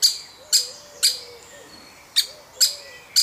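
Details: Young woodpecker of a family, being fed; abrupt high chirps come in two bursts, spaced about half a second apart, with a gentle low wavering note behind them.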